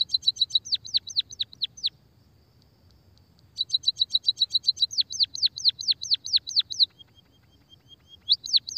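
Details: Munia song (emprit kaji) used to lure and spur silent munias to sing. Two bursts of rapid high ticking notes that shift into a series of down-swept whistled notes. A thin steady tone joins before a final short burst.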